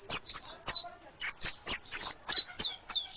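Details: Brief burst from a champion sunbird (kolibri ninja) used for song training: sharp, piercing high chirps, several bending downward, in two quick groups separated by a short silence.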